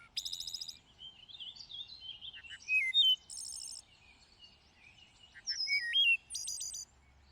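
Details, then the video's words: Loud, varied song of a thrush in lush vegetation: rapid rattling trills alternate with clear whistled notes that jump up and down, phrases spaced by short pauses, and a faint low hum beneath. "A Symphony of Thrushes: Exploring the World's Songbirds"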